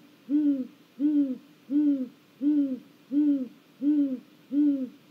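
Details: A great grey owl perched on a snag in Mission Valley on 1 April 2022 gives soft, arched hooting notes, seven in about five seconds at a steady pace, each swelling and falling slightly in pitch.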